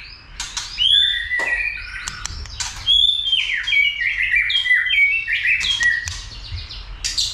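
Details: White-rumped shama roused to sing much and fight, trained in many voices; sharp clicks and chips leading into a long cascade of sweet, fluty whistled phrases stepping down in pitch.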